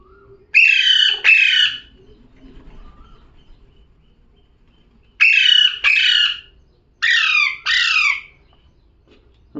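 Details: Parrot giving three pairs of rough, downward-sweeping squawks separated by several seconds of near silence, with faint low rustling between them.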